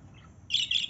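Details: Short piercing, scratchy lovebird chirp in two quick pulses following a brief quiet lead-in, with a steady low hum underneath.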